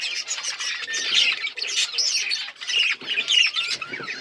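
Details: Breeding budgies keep up a busy, overlapping chatter of high chirps and scratchy warbled notes, swelling and fading in waves without pause.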